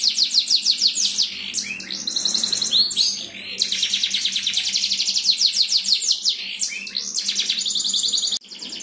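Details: Champion canary singing lively, nonstop bait song meant to stir other canaries into singing; fast high rolling trills and sweeping chirps repeat about three times per second, with a brief pause near the end.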